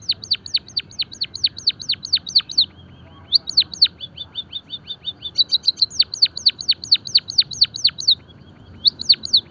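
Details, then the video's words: Java sparrow song for training and stimulating other birds: bursts of high descending bell notes and quick chip runs, broken by short pauses, then resuming with a rapid stuttering series and more falling notes. "emprit kaji gacor - masteran dan pancingan burung pipit jawa peking bondol haji biar gacor"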